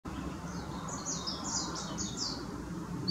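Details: A blue-and-white flycatcher, recorded 24 April 2016, sings a quick run of high, sweet warbled notes over about two seconds, against a low outdoor rumble.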